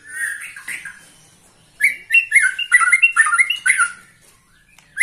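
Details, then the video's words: A white-rumped shama aged 21 years sings with energy: a short whistled opening, a pause, then a fast series of bright whistled notes, each paired with a thin high tick, repeated rhythmically for about two seconds. "Murai batu ini ternyata usianya 21 TAHUN Gaya main masih NGOTOT"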